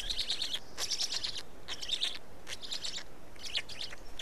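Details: Black storks at an Estonian nest at feeding time, May 2019 afternoon: short, high, scratchy bursts with a wavering whistled edge, about one every half second or so, over a quiet hiss.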